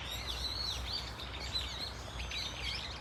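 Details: Several Brown-eared Bulbuls calling together in Dunsan Grand Park, a brief run of shrill, wavering, slurred squeals overlapping one another above low steady noise.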